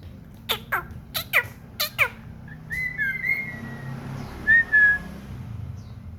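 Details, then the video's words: Common iora kept as a house bird, singing actively: a few sharp clicks, then drawn-out, clear whistled notes at an even mid pitch, some gently falling. There is a low room hum behind. "burung cipow / sirtu gacor"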